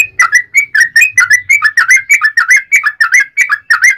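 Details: Long rapid bulbul song meant to goad other sooty-headed bulbuls into answering: a continuous stream of bright, bubbling two-part chirps, each dipping then rising, about four per second, without pause.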